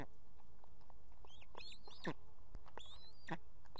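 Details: Osprey female at an Estonian nest holding two chicks, summoning the male to bring fish; a series of thin, upward-sweeping whistles in quick succession, some doubled, against constant low hiss.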